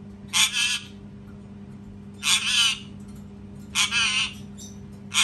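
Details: Parrot screaming too loud, repeating harsh double squawks roughly every one and a half seconds, each a raspy two-beat burst, over a continuous low hum.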